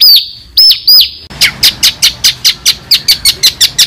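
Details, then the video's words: White-rumped shama song on a masteran tutoring track said to make champions for songbird keepers: three loud swooping whistles, then a rapid run of about fifteen sharp, evenly spaced high chips. "MASTERAN MURAI BATU YANG SELALU BIKIN JUARA"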